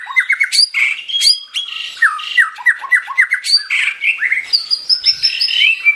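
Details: Vigorous white-rumped shama song made of rapid downslurred whistles in quick series, mixed with sharp high ticks and buzzy notes. It ends in a long, high, wavering whistled phrase.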